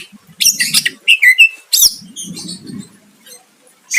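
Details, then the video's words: Greater green leafbird singing gacor to challenge a rival: a dense run of shrill whistles, chips and slurred notes, then quieter scattered phrases over a steady low rumbling murmur. "Cucak ijo gacor mancing lawan dijamin Nyahut"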